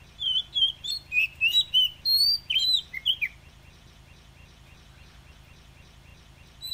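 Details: Oriental magpie-robin giving wild-style 'kéo thuốc lào' song, meant to stimulate weak newly caught birds: about three seconds of sweet, varied whistled notes and twitters, then near silence with faint low hum.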